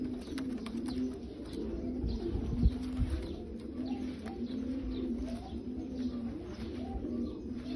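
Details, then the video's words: Bulgarian pigeons cooing in low, continuous murmuring rolls, several voices overlapping, with faint clicks and a steady background hiss. "حمام بلغاري عبسي"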